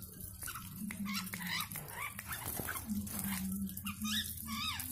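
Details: A wild, nervous Yellow-vented bulbul being tamed gives short, bubbly, up-and-down chirping phrases that come faster toward the end, over a steady low hum and faint whimper-like sounds.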